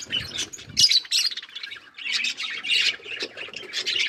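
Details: Budgerigars feeding on green food, their rapid harsh chatter of squawky high chirps running almost continuously, with low rustling near the start.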